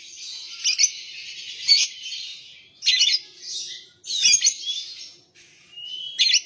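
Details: Lovebird singing in the long chattering style called ngekek: bursts of rapid, high, scratchy chirps and trills, each lasting up to a second, separated by short pauses, with one thin whistled note near the end.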